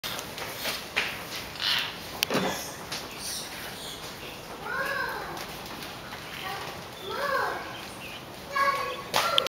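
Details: Palawan peacock-pheasant at Blijdorp giving two drawn-out, arched, nasal calls a few seconds apart, over clicks and faint background chatter.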